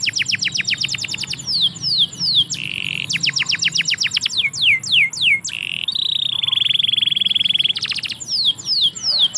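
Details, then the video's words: A canary singing in a yard runs through varied phrases: rapid descending whistle series, a buzzy held tone, clicking rattles, quick repeated downstrokes and a long level trill near the end. "KICAU BURUNG KENARI - DIPEKARANGAN"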